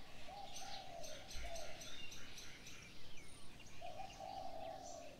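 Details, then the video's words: Morning birdsong: low, soft cooing phrases recur at the start and end, while faint high chirps repeat rapidly above them in a steady, even series, with a quiet background hum. "Birds sounds on the morning 清晨鳥鳴"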